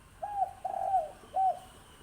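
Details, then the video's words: Six-month-old wild spotted dove calling a single three-note coo, with an opening note, a drawn-out vibrating middle note and a short clean final note, in a quiet setting. "เสียงนกเขาใหญ่นกป่าอายุ 6 เดือนครับ"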